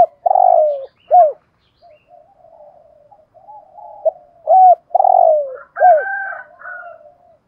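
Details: Spotted dove kept as a decoy, 'giọng thổ' style, cooing: long falling coos and hooked notes in two phrases separated by a soft low murmur, plus a brief higher wavering sound near the end.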